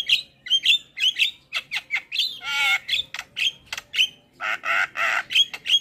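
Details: Starling vocalizing on a lure recording for cage birds: clean, separated whistles and squeaks alternating with broad, harsh, buzzy screeches, each note short and quickly repeated.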